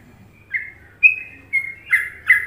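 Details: Indonesian sooty-headed bulbul, trucukan song: following a quiet start, five pure whistled notes with level or gently falling pitch come about every half second, the final two fuller and louder.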